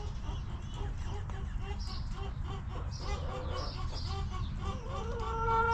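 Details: Hens in a back yard coop give short, low clucks repeated through the first seconds, with faint chirps above, and then a rooster begins a strong, ringing crow that swells at the very end over steady low background noise.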